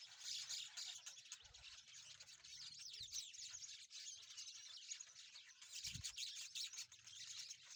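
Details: Group of rosy-faced lovebirds playing, a constant shrill twittering of fast overlapping squeaky chirps, broken by a couple of soft low thuds.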